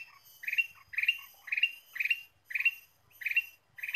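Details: A ruby-throated bulbul sings bright, chirping phrases about twice a second against a clean background, a lively recording used as a lure for the species.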